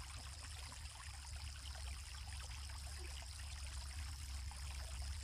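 Quiet, continuous trickle of running water over a low hum, with no animal voices.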